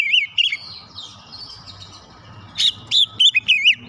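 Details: Lure song of an Oriental magpie-robin, aimed at stirring lazy, non-singing magpie-robins; two short looping whistles open, a long stretch of faint buzzy hum and low rumble follows, then a quick burst of sharp rising and falling notes.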